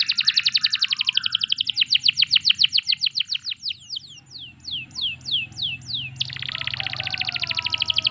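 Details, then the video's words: A canary's song, intended to stimulate other canaries: fast trills that slow into spaced descending sweeps, a quieter warbling pause, then a sudden dense high trill. "Masteran Suara Burung Kenari"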